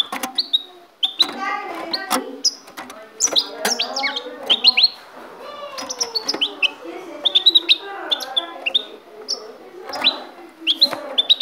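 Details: Kept goldfinch from Ecuador delivers a lively stream of bright, high chirps and short rising whistles, packed into rapid clusters across the whole stretch, with faint human voices underneath.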